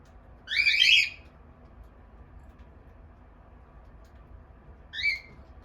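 A cockatiel gives a loud, harsh rising squawk, then a shorter whistled note.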